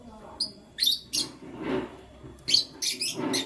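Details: Canary in the morning giving short whistled notes and quick high chirps in two clusters, with a soft rustling noise between them.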